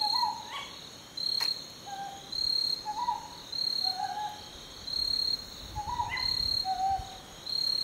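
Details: Northern boobook (Ninox japonica totogo), filmed while foraging and preening, gives soft paired hoots, the second note slightly lower, repeated every second or two over a constant high-pitched insect trill.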